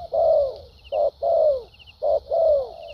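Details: Decoy spotted dove with a structured song featuring 'thúc gù' and 'lèo dặm' styles, a dueling bird. Soft low coos alternate short clipped notes with longer downward-gliding coos, about one per second, with faint high chirps.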